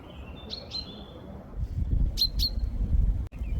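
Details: A common chaffinch foraging on the ground gives two pairs of short, sharp, high contact notes, each pair a quarter-second apart, keeping in touch with nearby chaffinches, over a low rumble of wind and a single click.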